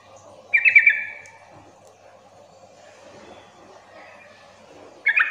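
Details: Lure call of a yellow-vented bulbul meant to set other bulbuls answering back and forth: a brief rapid chattering burst early on, then a long quiet gap before another chatter begins at the end.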